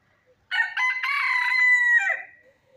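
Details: A country chicken gives one full crow lasting about one and a half seconds. It starts with choppy, broken notes, then holds a strong, even, nasal tone before dropping away at the end, with near silence around it.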